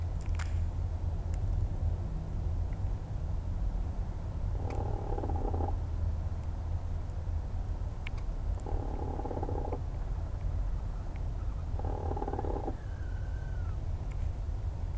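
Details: Chickens settling in their coop at night as they go to roost: three soft, buzzy, harmonic murmurs about four seconds apart, each lasting around a second, over a steady low hum.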